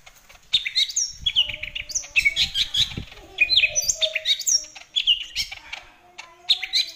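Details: Greater green leafbird producing a long, continuous run of fast, complex whistled phrases and mimicking-like chatter, notes jumping in pitch, with short gaps and a faint low hum.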